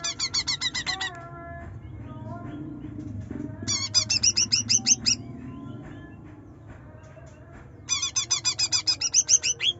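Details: Trotol greater green leafbird in full chattering nyerecet song, a lure for a reluctant singer: three bursts of fast, bright repeated notes, each lasting one to two seconds, separated by quieter scattered chips over a low steady hum.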